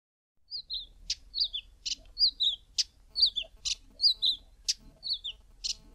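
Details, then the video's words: Karoo scrub robin, a male, singing from the top of a bush in the early morning: high, sweet downslurred notes alternating with harsh, scratchy bursts, repeating about every second over a quiet background. "KAROO SCRUB ROBIN male singing"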